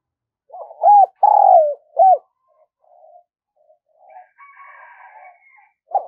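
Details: Decoy spotted dove cooing vigorously to lure others: a three-part phrase of low hoarse coos, short, then a longer drawn-out croo, then a short falling note, followed by faint softer sounds and a last coo.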